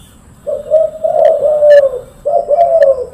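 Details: Loud, persistent cooing from a silver-coloured spotted dove: low, smooth, drawn-out coo phrases, one long rolling phrase followed by a second after a short break, with a quiet background.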